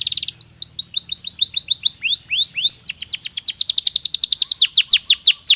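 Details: Natural canary song, meant to prepare birds for the breeding season: a bright opening chirp, then fast series of high, rising-and-falling notes shifting into a rapid, rolling trill of sharp descending sweeps.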